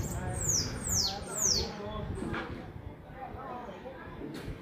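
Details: Several bananaquits singing; three quick, high, falling buzzy sweeps in the first second and a half, then quieter background chatter with a brief high note near the end.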